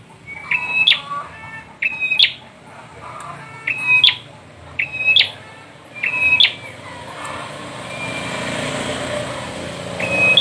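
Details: Five bright phrases from a bar-winged prinia, each a flat whistle topped by a sharp rising note, delivered about every second and a half before passing vehicle rumble swells and one last phrase closes.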